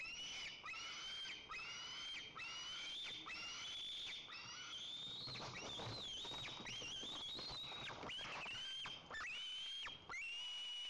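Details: White-tailed eagle at its nest in Lower Kama National Park, Tatarstan, 30 August 2024, as the male brings a second fish to the eaglet: thin, high whistled calls slurring up and down, repeated roughly once a second in an uneven series.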